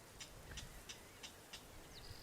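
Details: A clapper rail (Rallus crepitans) in a salt marsh gives faint, dry clicking notes, about three per second, over a low rumble of wind, with a thin high whistle at the end.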